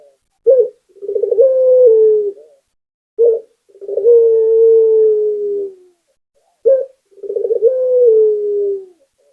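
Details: Local Barbary dove singing persistently to spur other doves: short abrupt coos alternate with long, low rolling coos that level out and slowly fall, three phrases in a quiet setting.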